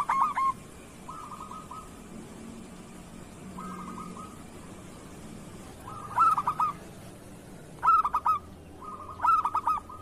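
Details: Local zebra dove tutor song meant to get other doves singing. Quiet clusters of soft coos give way to three loud phrases of quick, clipped notes about every one and a half seconds.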